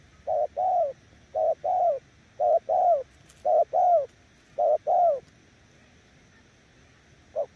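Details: Spotted dove giving 'gù' coos, described as too strong for weak decoys: five quick pairs of low hollow notes, the second of each slightly longer and dropping in pitch, then a pause and one final note.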